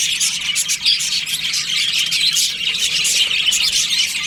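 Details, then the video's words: Many budgies in a breeding colony chirp and twitter nonstop, a thick, high-pitched chatter of quick overlapping notes with scattered brighter squeaks. "Cute budgies chirping sounds | beautiful budgies breeding season"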